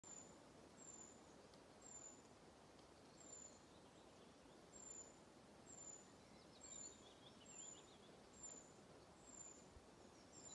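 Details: Two Eurasian treecreepers at Kyrkåstjärnen, Njurunda, Sweden, on 10 July 2020 give very high, thin, slightly trilled calls about once a second, irregularly spaced, over a steady hiss. A willow warbler joins in.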